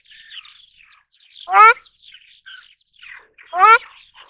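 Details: Ruddy shelduck calls: two loud, nasal, honking notes about two seconds apart, with softer chattering and chirping calls between them.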